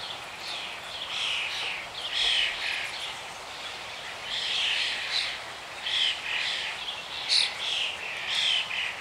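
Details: Red-naped ibis recorded on 18 March 2024: harsh, high, strained calls in short bursts about every second, some rising to sharp peaks, over a steady background hiss.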